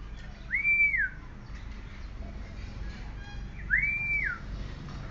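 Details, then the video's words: Oriental magpie-robin recording used as a lure to set other magpie-robins singing: two identical drawn-out, rising-then-falling clear whistles about three seconds apart, over steady low background noise. "Murai Kampung Galak - Denak Murai Cacing - Pancingan Kacer Gacor Langsung Bunyi - Chòe Than Hót"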